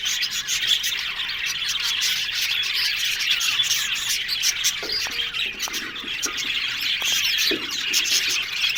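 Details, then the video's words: Australian budgerigar colony in an aviary: loud, unbroken flock chatter of quick scratchy chirps and squawks, with a few sharp short clicks near the end. "One Day Parakeet's Sounds Budgies Love Birds HD Sounds"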